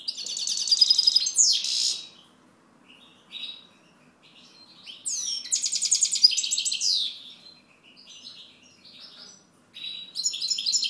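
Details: European goldfinch singing high, tinkling twittered phrases with rapid buzzy trills, two long bursts separated by quieter scattered notes and a pause.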